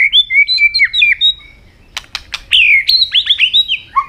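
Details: Robin, described as an Asian bird, singing: loud high whistled phrases with quick slurred notes, a short burst of sharp dry clicks midway, then further rapid varied whistles and warbles over a quiet background.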